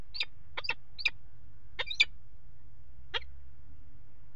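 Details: Peregrine falcon on a water tower nest ledge in Axel, Netherlands, 5 February 2018, during mating; about six rasping chip notes, some in quick pairs, then a pause before a last note, over low background rumble.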